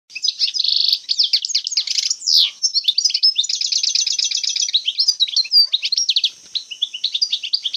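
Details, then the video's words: European goldfinch from Algeria, an old-style wild song, delivered as a fast, continuous twittering of high, tinkling notes with buzzy rattled trills and repeated chirp series, no other sounds. "جبدات خلوية تاع بكري canto jilguero argelia"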